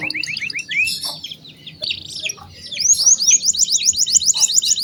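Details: Canary singing to tutor young canaries: varied slurred whistles, some softer scattered notes, then a fast series of rising-falling whistled loops over faint background hiss.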